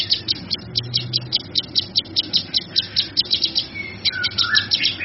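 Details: Cucak kinoi, a bird recorded as a tutor and lure song, gives an even train of sharp high chips at about 50 per minute, ending with a couple of lower whistled glides.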